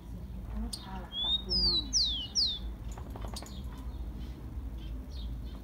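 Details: Rufous-collared sparrow sings a warm-up song for captive birds: a short rising whistle followed by three bright, falling whistled slurs, then softer chirps and ticks.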